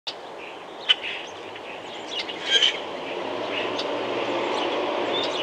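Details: Male Common Grackle calling: a click near the start, then a short, harsh, scratchy burst about two and a half seconds in. It stands over a steady rushing background hum, with faint chatter from other birds.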